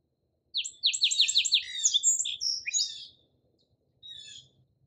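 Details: Song sparrow song opening with a series of sharp, repeated down-slurred notes, then a varied mix of buzzy and trilled phrases lasting about two and a half seconds, followed by a softer note cluster.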